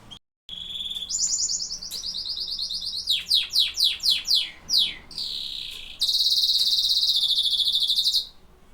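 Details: Canary song: a soft whistle, then buzzy rolled trills, a string of loud descending swoops, and a long, very fast high trill to finish.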